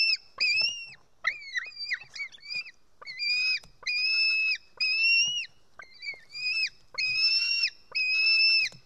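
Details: White-tailed eagle chick at a nest in Estonia, 4 July 2018 around 1:10 pm, screaming while a parent brings a fish and feeds it: loud, harsh, drawn-out begging calls about one a second, each wavering slightly in pitch.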